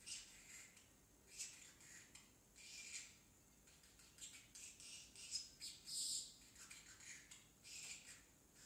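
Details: Young pet parrotlet talking, its words said to be mostly "tickle tickle" for now; high, thin, raspy chattering bursts, each under half a second, repeated unevenly about every second, with a loud cluster near six seconds over quiet room hiss.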